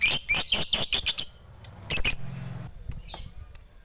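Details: Fighter lovebird calling rivals, used to stir silent lovebirds into singing: a quick run of shrill, scratchy chirps for a second, then a pause and scattered sharp squeaks.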